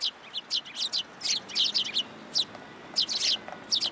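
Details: Sparrows gathering at a post to be fed at a Tenmangu shrine, 20 February 2023: busy bursts of sharp, high chirps, several overlapping, tumbling in quick clusters with short pauses between.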